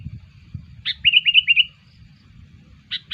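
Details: Lure call of a sooty-headed bulbul, meant to draw in other bulbuls: a sharp opening note followed by a quick trill of five bubbly notes, then silence and another sharp note.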